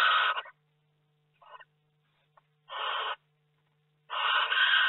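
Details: Barn owl in a nest box in May, during hatching; harsh, broad rasping screeches of about half a second, with a faint short call between them and a low steady hum.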